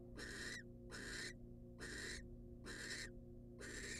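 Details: Nest-box recording of a wild female barn owl getting a rat from the male: five loud hissing screeches, evenly spaced, noisy and broadband, over a low steady hum.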